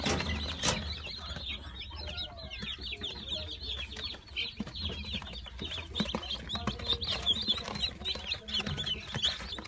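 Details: A brood of young Brahma chicks, filmed on 22.04.18 before going to new owners, fills the air with continuous shrill chirps, many birds overlapping, plus scratching and rustling noises.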